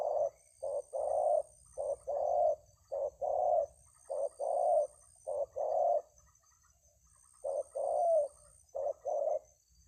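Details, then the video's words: Spotted dove (tekukur) delivering its 'kuk 2 3 jergot' song pattern: repeated sets of deep, hollow coos, short notes followed by longer purring ones, with a brief pause before the final phrases. "Kuk 2 3 jergot"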